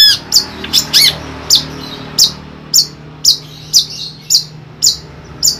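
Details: Long-tailed Shrike kept caged in Ampelgading, Pemalang, Central Java, Indonesia, giving a few rough squawks, then sharp, high, clipped notes repeated about twice per second with faint room hum beneath.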